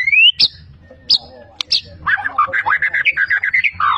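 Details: Champion Medan white-rumped shama, a competition bird singing vigorously with mimicry of all kinds of birds: a clear rising whistle, sharp high notes, then a fast run of varied chirping phrases.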